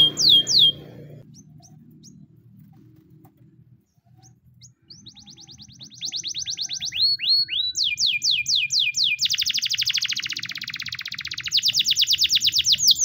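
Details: White Spanish Timbrado canary giving a training song; quiet opening with a few faint high notes, then loud fast rolls of repeated high chirps, with downward swept notes and a dense buzzy trill near the end.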